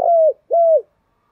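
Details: Spotted dove calling to stimulate newly caught doves into quick singing in the thổ voice style: two smooth, level hooting coos, each dropping slightly at the end, separated by a short pause, with clean quiet background.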